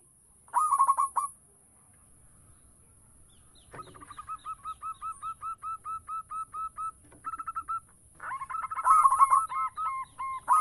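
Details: Local zebra dove lure song: one short rolling phrase, a pause, then a long steady run of about fifteen even cooing notes, ending in a louder rolling, overlapping coo burst.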